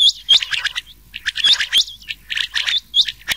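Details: Rain quail (chingah) voice blended with old quail calls, used to attract birds at night in summer; quick runs of high, sharp chirps with hooked paired notes, repeating in short bursts about every half second.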